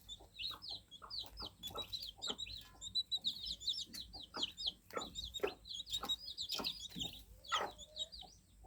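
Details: Many baby chicks, just hatched, chorus nonstop with shrill, rapid cheeps layered densely, mixed with frequent light pecking taps.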